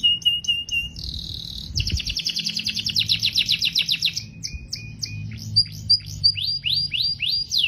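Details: Canary song with varied tours: short whistled notes, a sustained buzzy roll, a rapid rattling trill, then separate upward-sweeping whistles repeated about twice per second, close and clear.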